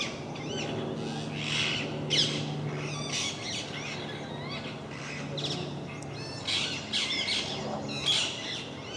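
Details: Noisy parakeet flock at MK park, which it visits regularly: continuous jumble of rasping screeches and chirps from several birds, with a low steady hum throughout.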